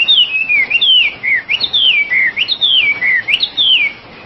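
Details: Oriental magpie-robin (wambi) in full song: clear, high whistled phrases, each rising sharply then sliding down, repeated about every 0.8 seconds with short pauses between.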